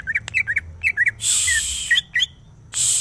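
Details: Greater green leafbird singing a quick string of clear whistled notes, each rising and then falling, repeated about once a second, broken by two long bursts of loud hiss.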